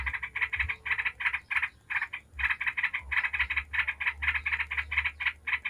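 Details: Yellow-vented bulbul 'ngebren' chatter, a lure for making other bulbuls sing. Quick clusters of grating notes separated by short pauses, continuing evenly, with faint low noise underneath.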